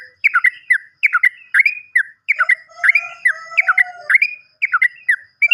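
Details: Sooty-headed bulbul, in a lure recording for birds that have stopped singing: rapid clusters of bright, slurred chirps repeated about once a second, with a lower, drawn-out tonal voice running beneath the middle phrases.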